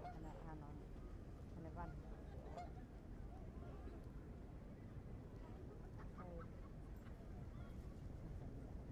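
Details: Egyptian goose in Hyde Park, London, UK, on 10 July 2015: short bursts of harsh, nasal honking calls in a few clusters, over a steady low rumble of city noise with faint voices.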